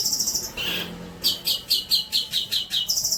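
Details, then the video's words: Long-tailed shrike song as training material for young shrikes: a high rapid trill, a lower buzzy note, then a string of about nine sharp, high, evenly spaced chips ending in another trill. "INI BARU MATERI MEWAH BOLO BUAT MASTERAN TROTOL KAMU"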